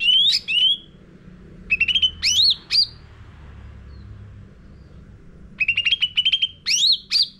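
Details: Sooty-headed bulbul lure song for training caged birds, in busy, chattering song: quick bursts of clipped notes near the middle pitch with upward-sweeping whistled notes, pauses between bursts, and faint low hum beneath.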